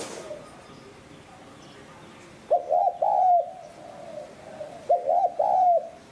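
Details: Spotted dove call meant to lure wild doves; after two quiet seconds, two loud phrases of paired short coos ending in a longer sliding coo, with faint distant cooing between.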